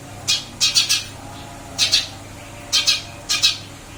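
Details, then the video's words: Newly re-caged Eurasian tree sparrow giving spaced groups of two or three sharp, high chirps, roughly once a second, with a soft steady hum in the room. "Burung gereja pindah sangkar Alhamdulillah tetap gacor mase"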